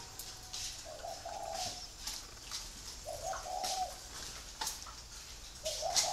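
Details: Free-range breeding spotted doves cooing: soft, low, hollow phrases about every two seconds, each a short note then a longer one, over repeated sharp tapping and clicking noises.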